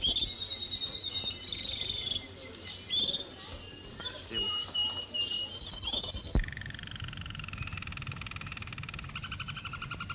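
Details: Canaries singing at a 1939 song contest in The Hague: bright whistled phrases and high, varied rolling trills on a hissy old recording, cutting partway to a denser, noisier stretch; the entry was scored four points.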